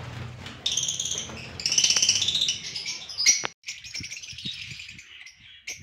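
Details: Albino red-eyed pet lovebirds in Gujrat chatter loudly in high, squeaky bursts: a busy run of piercing twitters and harsh chirps, a short pause, then more rapid, thinner squeaks with occasional clicks.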